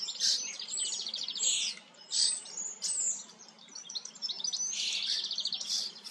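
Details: Common starling, singing as it grooms: rapid rattling clicks and buzzy trills alternate with clear high whistles and squeaks in a lively, jumbled stream.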